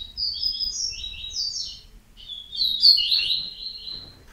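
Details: Yellow-bellied seedeater gives two quick high chattering phrases, then a longer bright trilling phrase that climbs before settling into a sustained sweet warble.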